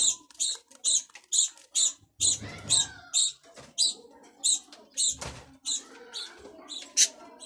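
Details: Budgerigar chattering in a rapid stream of high, scratchy chirps, a little over two per second, with soft rustling noises in between.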